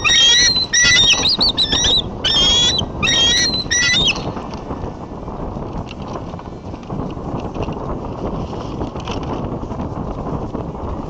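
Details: Bald eagles calling at a nest in Davenport, USA, on a late January 2014 afternoon as intruders fly by. Three brief bursts of high, squeaky chattering open the recording, then only gusting wind remains.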